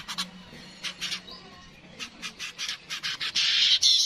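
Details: Yellow-headed weaver producing spaced dry chattering notes that speed up and end in a loud continuous sizzling buzz, recorded as a master for training songbirds.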